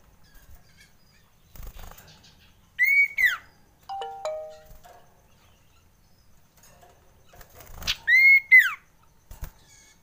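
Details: Frightened common iora: two bursts of clear, drawn-out high whistles, each rising slightly then falling, separated by a lower run of short stepped notes. Faint clicks and rustles fill the gaps.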